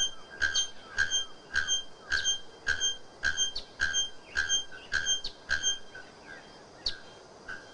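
Bare-throated bellbird striking loud, metallic clanging notes like a hammer on an anvil, about two per second in a steady run, over a thin, high insect-like hum.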